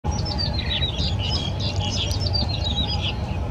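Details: Yellow-bellied prinia at Yingfeng Riverside Park by the Keelung River, 14 April 2017: busy high chirping notes and short buzzy bursts around 0.7 s, over a steady low rumble like traffic.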